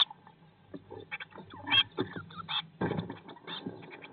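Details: Nest box holding a Eurasian blue tit brood, day 19 after the first egg hatched in May 2022; sparse, scattered squeaky notes and a few brief harsh bursts with low rustling between them.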